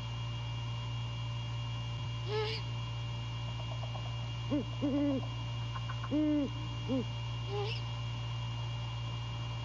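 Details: Great horned owl pair meeting before dawn on 15 January 2022, the male visiting his mate to mate; several deep low hoots in a short uneven series, with Southern Leopard Frogs chirping and a steady low hum.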